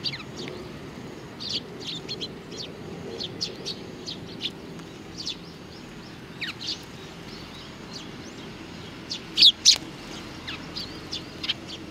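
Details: 3 July 2019, sparrows with a chick: scattered thin chirps throughout, then a loud double chirp burst near the end, over faint background noise.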